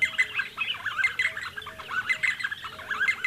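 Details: D'Arnaud's barbets (Trachyphonus darnaudii) near Lake Baringo give a busy, rhythmic chatter of squeaky, bouncing notes repeated about once a second, with soft lower arched notes underneath.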